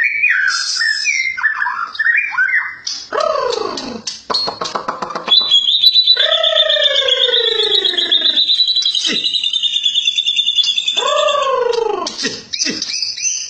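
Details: White-rumped shama song mixing quick whistles with harsh arched rasping notes and a long, steady high buzzing trill lasting several seconds before more varied phrases.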